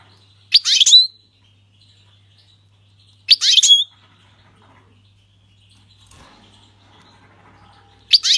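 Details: Syrian goldfinch singing its 'king's language' without mistakes; short bright twittering bursts repeated roughly every three seconds, quiet between, with a faint steady low hum.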